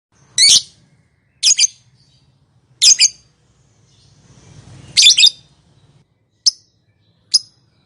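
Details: Lovebird calling to prompt silent lovebirds to answer: shrill, harsh chirps given singly or in quick doublets, about every one to one and a half seconds, with a faint low hum underneath.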